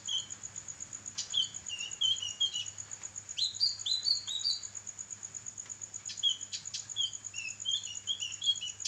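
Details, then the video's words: Kinoi song used for training songbirds: scattered sweet warbled notes and short rising chirps in loose phrases, some higher and squeakier, against a persistent thin high tone. "burung masteran kinoi gacor"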